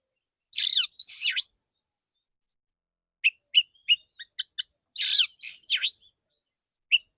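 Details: Male white-rumped shama firing clear song shots: two loud swooping buzzy phrases, a quick series of ticking chirps, then two more rich sweeping phrases and a last short chirp.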